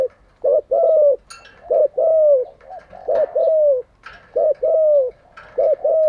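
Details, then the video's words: Decoy spotted dove, used for training captive doves daily, repeating a clipped two-part coo: a short hoot, then a longer sliding note, about every 1.2 seconds, six times, with faint clicks in the background. "Tiếng chim cu gáy mới nhất, dùng luyện chim gáy bổi và mồi hàng ngày || Chim cu gáy mồi"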